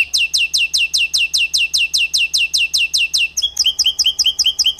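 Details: White-rumped shama, a kept competition bird, repeating sharp downslurred whistles about two and a half times a second, then switching to a higher, choppier series of notes.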